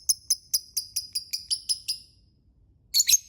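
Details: Lovebird giving a quick series of about nine thin, high-pitched chirps at an even pace, a short pause, then a harsh doubled squeak.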